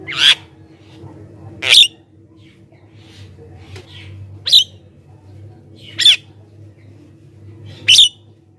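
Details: Javan myna song used to lure wild mynas and prompt other mynas to respond: five short harsh squawking notes with a whistled centre, spaced about every one and a half seconds over a steady low hum.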